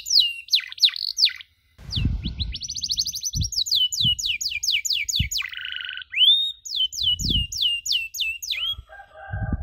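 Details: Canary recording for training other canaries in cuit-cuit sounds: varied whistles, looping notes, trills and falling chirps, interrupted by short gaps and low knocking sounds.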